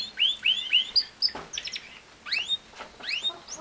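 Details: Canary song heard as short phrases of bright upslurred whistles repeated in threes, separated by brief pauses, with a few sharp clicks and softer sweeping notes between.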